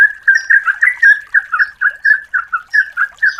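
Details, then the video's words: Calling female yellow-vented bulbul, a lure for males: a steady stream of warbling, bubbly notes repeated about twice per second, evenly pitched with faint high squeaks above. "pancingan masteran betina memanggil"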